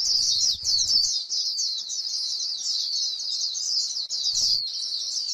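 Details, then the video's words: High-pitched, unbroken twittering warble from a white-eye in grassland, the lively líu song used to stimulate other birds, running continuously for five seconds with fast trills and slurs. "KÍCH KHUYÊN LÍU CHUẨN chim khuyên trên đồng cỏ white eye bird"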